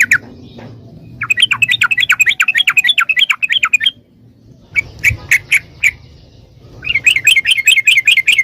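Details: Yellow-vented bulbul, caged, singing to draw answers from other birds; fast, even series of bubbling notes in three bouts, with a few spaced single notes between them and a low background hum.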